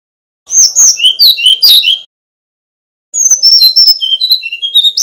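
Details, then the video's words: Male Brown-chested Jungle Flycatcher from Bali, kept as a master bird for training others, singing two bursts of sweet, varied whistled notes jumping between high and mid pitches, separated by a second of silence. "Kicau Burung Sikatan Rimba Dada Coklat (SRDC) Bali Jantan Nyuling Gacor Isian Keluar"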